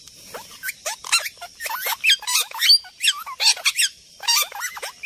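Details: Parrots calling loudly and continuously, a rapid jumble of harsh, screechy squawks and chattering notes that jump up and down in pitch, with no other sounds heard.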